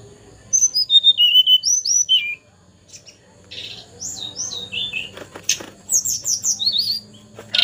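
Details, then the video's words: Juvenile tledekan gunung, still spotted but singing actively: fast strings of clear, high, stepped whistles, a brief pause, then more downslurred notes and high twittering phrases. "Parah masih trotol tapi sudah gacor dor"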